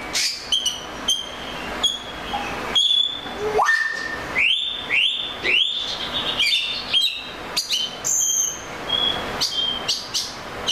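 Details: A series of rising whistled notes from an Oriental magpie-robin, several repeated upswept phrases, interspersed with sharp clicks and a very high thin whistle.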